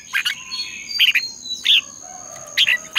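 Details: Red-whiskered bulbul in competitive dawn singing for bird training: short separate chirpy warbled phrases, about four in three seconds, over a faint steady high whine.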